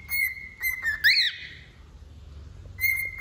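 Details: Wild-type male cockatiel sings steady level whistles, then a brief rising and falling squawk, then a pause before the whistling resumes.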